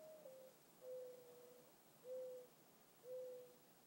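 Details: In the evening, a mourning dove gives soft, low, hollow coos, about one per second, the first slurring slightly downward, over a faint steady hiss.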